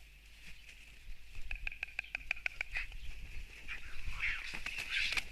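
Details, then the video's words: White storks fighting, recorded from a live stream on 29 March 2024: a burst of rapid dry wooden clicks repeating several times a second, then looser knocks and scuffling, over a steady high hiss. "Cīņa starp baltajiem stārķiem"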